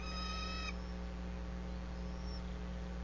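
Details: Bald eagle pair's nest atop a sycamore about 100 feet high in Bluff City, Tennessee, filmed by a live nest camera on 25 March 2024, 13:30: one short high piping whistle, rich in overtones, then steady low electrical hum.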